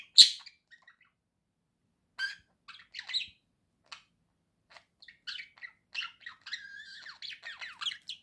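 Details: Pet budgerigar opens with one loud sharp squeak, goes quiet, then builds into a busy warbling chatter of fast chirps, clicks and rising whistles.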